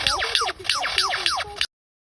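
Lyrebird mimicry: a fast run of bright, whistled notes, each sweeping steeply downward, about five in under two seconds, with faint music underneath.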